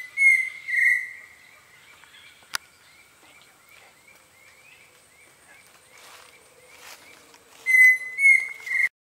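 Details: Pheasant cuckoo calling from a perch in Panamanian forest near the Canopy Tower: a whistled phrase of level notes at the start and another at the end. Between them comes a soft series of small repeated chirps and a sharp click.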